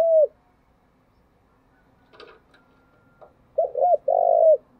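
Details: Spotted dove giving its morning calling-in coo in the thick 'thổ đặc' style. The falling tail of one phrase, a pause with faint clicks, then a quick low double hoot and a burred falling note.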